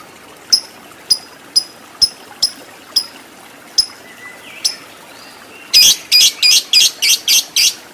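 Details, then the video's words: Lovebird in the fighter ngekek style: a series of thin, high ticking notes spaced about half a second apart, then a short loud burst of harsh rapid chatter at the end. "Lovebird Fighter Ngekek Panjang"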